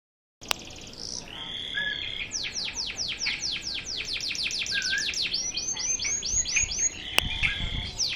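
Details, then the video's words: Local canary, pure local stock, singing a fast song in the sharp volley style locally called tembakan: rapid descending sweeps in quick series, then trills and buzzy sustained notes, with a couple of sharp clicks. "Suara kenari lokal 44 detik 2kali tembakan."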